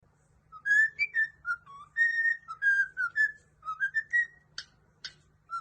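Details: Cockatiels singing: a string of clear, mellow whistled notes rising and falling in a tune-like sequence, with two brief sharp clicks near the end and a faint steady hum underneath.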